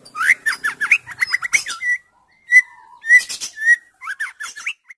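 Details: Female white-rumped shama song meant to stimulate silent males: quick bursts of slurred, upward-sweeping whistles, a few longer steady whistled notes between pauses, and harsh high accents.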